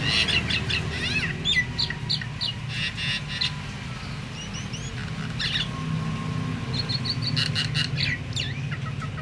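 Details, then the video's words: Myna whose call is said to make all other mynas, even silent ones, join in; bursts of sharp, stacked chirps and short whistles, a quieter gap, then a fresh run of clipped repeated notes, with low rumbling background. "suara jalak ini bikin semua jalak ikut GACOR"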